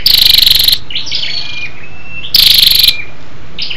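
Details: Female scarlet-backed flowerpecker lure call meant to stimulate males: a fast, high, rattling trill opens, a second follows about two seconds later, and quiet thin whistled notes sit in the gap.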